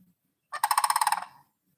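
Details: Sandhill crane calling at a zoo: a single loud rattling, rolling bugle of about ten rapid pulses lasting under a second, with faint low murmuring before it.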